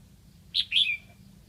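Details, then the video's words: Lạng Sơn decoy red-whiskered bulbul calling to lure wild birds: one quick phrase of two bright whistled notes, the second longer and sliding downward. "Mào mồi gáy kiểu này liệu có gọi được bổi không đây?"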